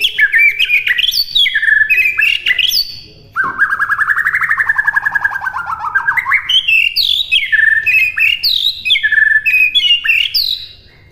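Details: White-rumped shama training song: loud, downslurred whistles give way to a long, rippling, buzzy trill rising in pitch. Bright, tumbling whistled phrases in rapid succession follow.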